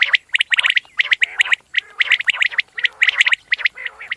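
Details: Common quail giving rapid, sharp, clicking notes in tight groups of two or three on a steady pitch, repeated throughout, with softer raspy undertones between groups.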